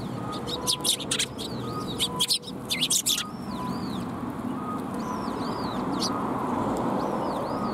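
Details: Sparrows coming to be fed at a Tenmangu shrine on the afternoon of 18 March 2021: a burst of sharp, high chirps early on, then softer arched whistled notes, over steady low traffic rumble.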